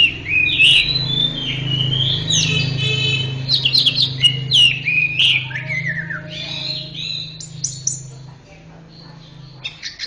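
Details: Orange-headed thrush pouring out a busy, varied song of whistles, chatters and quick slurred notes that fades toward the end, over a steady low electrical hum.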